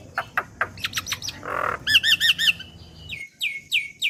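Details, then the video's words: Black-winged myna youngster in a training recording: clicks, a harsh buzz, then a rapid series of looping whistled notes and several falling squeaky whistles. "Masteran Burung Jalak Kebo Bahan / Jalak Kebo Muda | Pancingan Jalak Kebo"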